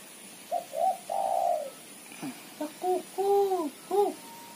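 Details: A female spotted dove, recorded as a lure call, gives soft, low, hollow cooing notes, some short and clipped, others drawn out and gently arching, in a loose run over about four seconds.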